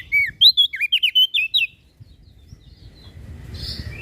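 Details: Masteran recording from Lombok of common iora and bar-winged prinia for cage-bird training: a fast burst of about nine clear looping chirps, then fading into low rumbling noise and a faint hiss.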